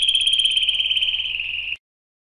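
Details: Canary song fragment: a fast, even high trill of pulsed notes, slightly falling in pitch, lasting under two seconds before stopping abruptly into silence.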